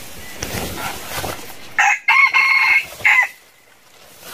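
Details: A red junglefowl (wild chicken) gives one clipped, hoarse crow: a short note, a longer harsh middle and a brief cut-off ending, after a second or so of soft rustling; the flock was raised from two wild birds.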